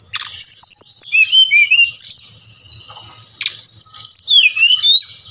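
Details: Brown-chested jungle flycatcher, Bali type, used to spur captive birds into song: fast series of bright notes, descending slurred whistles, a quieter gap, then wavering rising and falling whistles over a soft hum.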